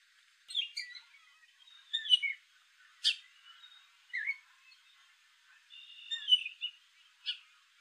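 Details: Gray catbird (Dumetella carolinensis) calling: a jumble of short, squeaky, scratchy phrases, each different, delivered in bursts about once a second against a quiet background.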